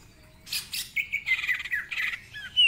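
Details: Greater green leafbird in full song, ngentrok style with mimicked fill-ins: a few harsh buzzy bursts, then a steady whistled note sliding downward, rasping chatter and a short high rising whistle at the end.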